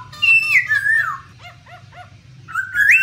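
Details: Female black laughingthrush 'ro ro' calls with a male, meant to spur other birds into song. A long wavering whistle falls away into soft, repeated arched notes, then a rising whistled phrase closes.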